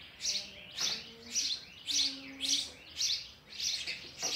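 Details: Sparrow chicks being fed oversized food call in steady, repeated high chirps, about two each second, each a short rasping note.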